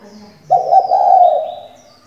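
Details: Decoy female spotted dove, kept to prompt males to coo, utters one low, throaty, rolling coo lasting nearly a second against a quiet background.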